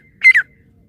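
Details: Single loud, harsh squawk from a female francolin, split into two quick parts with a downward slide at the end, in otherwise quiet surroundings.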